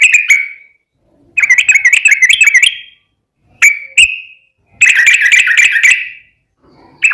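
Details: Yellow-vented bulbul in long rapid-fire 'ropel panjang' song, used as a lure to make other bulbuls answer: short bubbly chattering bursts of warbled notes, separated by pauses, with a few single sharp chirps.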